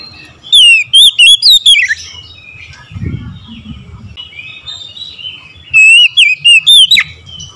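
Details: Oriental magpie-robin morning song: a quick string of piercing whistled notes, then a soft pause with faint low rustling, then a second near-identical burst of whistles.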